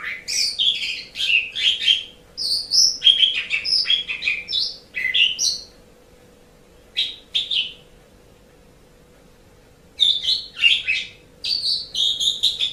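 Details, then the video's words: Asian pied starling, a training recording for caged songbirds: dense bursts of mixed whistles and harsh squeaky notes, a long quiet gap midway, then more ringing whistled phrases, all over a faint electrical hum. "Suara Burung Jalak Suren"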